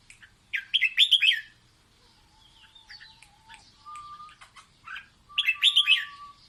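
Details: Red-whiskered bulbul singing playfully to teach its chicks: bright, warbled bursts of quick chirping notes, a lower steady whistle-like tone in between, and a second rich phrase near the end.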